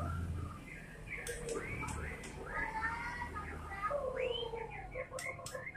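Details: White-rumped shama song: a run of varied, curving whistled phrases that slide up and down, delivered almost without pause, with a few sharp ticks near the end over a low background rumble.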